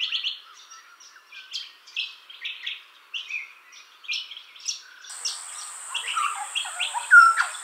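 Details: Juvenile Grey Butcherbird in a garden where he has set up territory, drinking at a fountain and answering other territorial calls: rapid runs of short, clear, mid-pitched notes, with a steady high-pitched hum joining midway.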